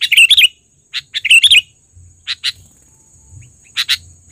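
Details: Loud lure calls of a trained sooty-headed bulbul: bright bubbly phrases, a pair of clipped notes, then widely spaced single chirps, with a faint steady high hum and soft low background noise.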